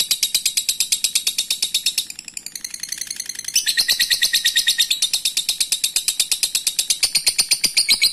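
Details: Continuous lovebird ngekek chattering used to call a rival: fast raspy high notes that dip in loudness midway, then resume strongly and keep going.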